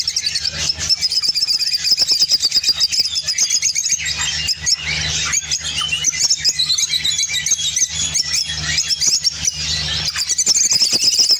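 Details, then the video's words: Opaline orange lovebird, Spain, singing at length: a long, unbroken torrent of shrill twitters, clicks and scratchy chirps, steady in loudness, over a low constant hum. "Spain Opline Orange Love bird singing"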